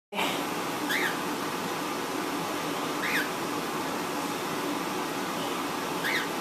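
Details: One of two pet cockatiels indoors, excited when a blanket enters the room, gives short, rising chirps about every two to three seconds over a steady indoor hum.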